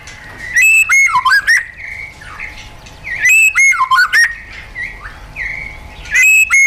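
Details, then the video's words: Caged white-rumped shama trained with wild-style song repeats the same phrase of ringing high whistles and a dipping slur about every three seconds, with softer warbles between. "LUYỆN CHOÈ LỬA HÓT GIỌNG RỪNG HAY MỚI NHẤT"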